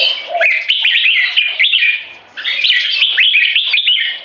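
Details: Red-whiskered Bulbul competition birds, 3.5 and 7 years old, in a dominance battle using butir frequency singing: rapid, bright, slurred whistled notes in two busy bursts split by a brief dip.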